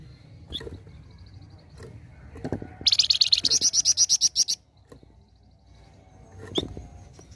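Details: Flamboyan bird in vigorous besetan-style song: a faint high trill, then a fast, even run of about twenty sharp, high, ringing notes lasting under two seconds, with scattered low knocks and clicks around it.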